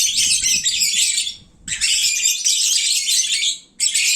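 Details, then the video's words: Noisy midday chatter of lovebirds that have eaten and grown sleepy: thick bursts of high, squeaky chirping from several birds, with two short silent gaps. "Kicauan Lovebird saat mengantuk. Duuh berisiknya !!!"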